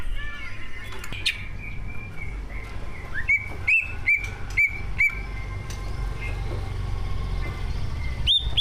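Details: Greater green leafbird, a prize-winning bird, sung as a lure for other birds: a few soft whistles, then a series of sharp, clear upslurred whistles spaced roughly half a second apart over steady low background hum.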